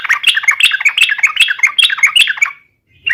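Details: Yellow-vented bulbul singing an aggressive song to lure rivals into answering: a dense, fast run of jumbled chirps and warbled notes lasting over two seconds, then a short silence and a new start.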